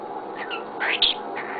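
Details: A male pet cockatiel gives a few short, bright chirps and warbling notes over about two seconds, while his owner talks to him nearby.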